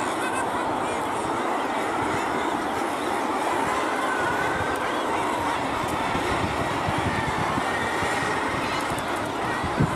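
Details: A guillemot (common murre) colony on Lunga, Inner Hebrides, Scotland: a dense, unbroken roar of many birds calling at once, with overlapping harsh growling calls that merge into a steady din with no pauses.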